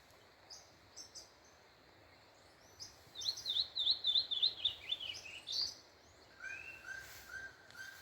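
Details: A saltator (locally called pixarro) sings on a farm on a cold, sunny early morning: a quick run of bright, zigzagging high notes gives way to lower, richer whistled phrases repeated several times, with other birds chirping faintly.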